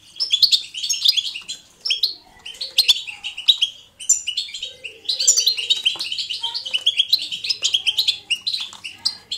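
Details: European goldfinch singing in the 'betbeta' style, played to encourage pet goldfinches to sing: dense, fast twittering phrases of high chirps and trills in long bursts, with brief pauses near two and four seconds and soft low chatter beneath.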